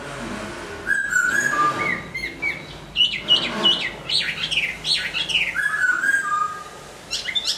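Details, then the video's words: Hwamei kept in a cage and moulting, delivering a lively song of clear whistled slurs and quick up-and-down notes, broken by short gaps, in a small indoor space. "Hoạ mi hót khi đang thay lông"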